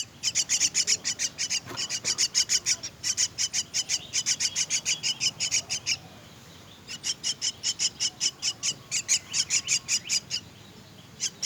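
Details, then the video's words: Myna chicks being fed, giving bursts of rapid, harsh, high rasping begging calls about five per second, a pause near the middle, then another long run of the same insistent calls. "Feeding myna's chicks"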